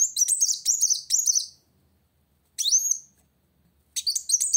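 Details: Purple-throated sunbird singing to confront a rival: three quick high chattering phrases, a lone rising whistled slur, then more sharp twitters after a pause.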